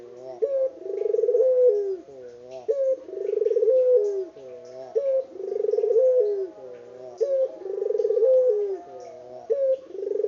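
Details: Unedited recording of a local spotted dove cooing steadily, with about four regular phrases. Each opens with a sharp note, swells into a pulsing roll and falls away at the end.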